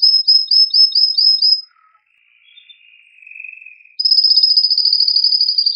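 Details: Male canary's strong, excited song, meant to stimulate female and male canaries to mate: a fast series of bright high chirps, a pause, a lower soft rolling trill, then a rapid high buzzing roll.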